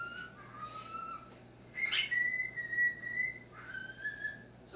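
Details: Talking cockatiel at home reacting to its own image on screen: a series of pure, gently sliding whistles, some rising, some flat, with a steady background hum.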